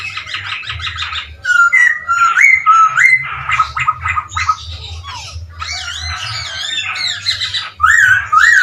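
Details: Chinese hwamei in vigorous song to provoke other birds: a dense, fast stream of varied whistles, buzzy trills and rising sweeps, with loud slurred phrases near the end.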